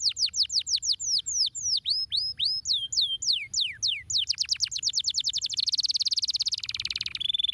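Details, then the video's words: Canary singing stimulating song: repeated downslurred whistles speed up into an ever-faster series, dissolving into a dense buzzing trill before a final short tone. "Uau !! uma vez girando o canário cantando diretamente !!!"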